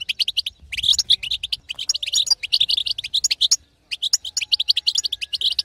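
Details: Batbata chatter from a female European goldfinch to push a quiet male to sing; busy, sparkling twitters in tight runs, with a short silence just before four seconds.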